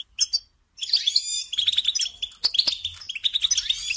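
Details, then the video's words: European goldfinch singing to tutor young songbirds; after a brief opening chirp and a short pause comes a rapid, tinkling run of bright twitters and buzzy trills. "Teaching Singing Lessons Through Goldfinch Motives"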